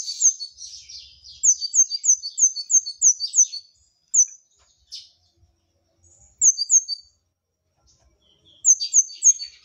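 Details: Repeated bursts from a brown-throated sunbird in gacor masteran song: scratchy twitters, then quick strings of sharp high descending notes, separated by silent gaps of a few seconds.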